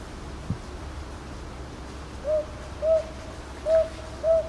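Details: Northern boobook recorded on 22 May 2023 at Ichijoji, Sakyo Ward, Kyoto, Japan, with a TASCAM DR-100MKIII; after two quiet seconds, four soft mid-pitched hoots arrive in paired spacing against a low background hum.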